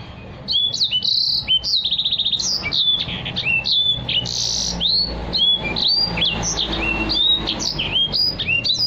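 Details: Energetic, nonstop song from a Black-throated canary meant for tutoring other birds, with quick downslurred and upslurred whistles, a short buzzy trill and tumbling phrases over faint background rumble.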